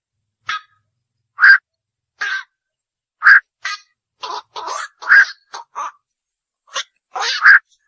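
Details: Night heron, locally called bakchu, giving harsh, croaking kwok notes centred low-mid in pitch, spaced irregularly at first and then in quicker bunches, roughly thirty calls a minute, over a silent background.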